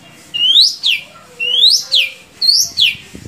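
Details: Captive Indonesian long-tailed shrike giving clear whistled notes that slide upward and then drop sharply, in two-part phrases repeated about once a second.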